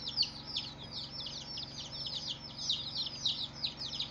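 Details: Day-old chickens peeping as a flock, continuous stream of shrill descending chirps blending together, a few louder cheeps standing out, over a constant low hum.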